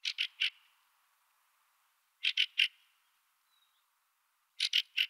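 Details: Fieldfare giving harsh chattering calls in groups of three rapid, grating notes, the trio repeated three times with silent gaps of over a second.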